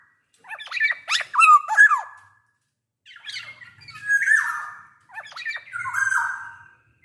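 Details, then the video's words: Black-naped oriole singing actively, a big-bodied bird used to lure other orioles into song: three phrases of clicking, squeaky notes that end in harsh, nasal, falling calls. "SUARA KEPODANG GACOR BUAT PANCINGAN KEPODANG AGAR BUNYI"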